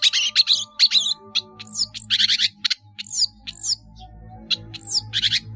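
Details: Long-tailed shrike kept caged, singing actively with many borrowed phrases: harsh chattering bursts, then sharp whistles sweeping steeply down, mixed with rapid ticking notes, over a faint low hum.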